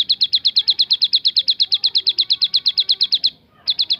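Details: Singing Javan sunbird in the 'tembakan' style: a long burst of rapid, high, clipped notes, a short gap near the end, then the same rapid notes resuming.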